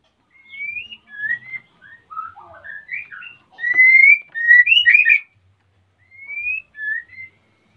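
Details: White-rumped shama male in breeding condition, asking to mate as the female is busy nest-building, bred in captivity at Salaman, Magelang, Central Java: a varied run of sweet whistled notes, rising slurs and fuller warbled bursts, then a quieter ending phrase.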